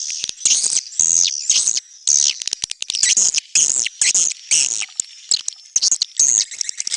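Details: Neutral-sound swiftlet recording: bursts of shrill, buzzy twittering, each about half a second long, separated by short gaps, with thin whistled tones threaded through.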